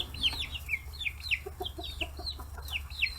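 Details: Forty-day-old free-range chicks at fish heads, Kitahiroshima, Japan: clear, sharply downslurred peeps about every quarter second, with soft lower notes between and a steady low hum.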